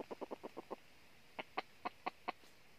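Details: Junglefowl clucking, heard during trapping in northern Vietnam with decoy birds set out to draw in wild red junglefowl. Six quick clucks come in a run, then a slower, louder series of five.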